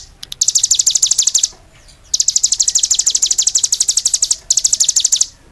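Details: Cigun singing vigorously: repeated bursts of quick, sharp, high chirps in a rattling trill, with brief pauses between phrases.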